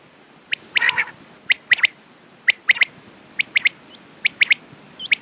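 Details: Quail call for morning and night use: brisk clipped chirps, mostly doubled or tripled, repeated roughly once a second with uneven spacing, clear against a quiet hissy background.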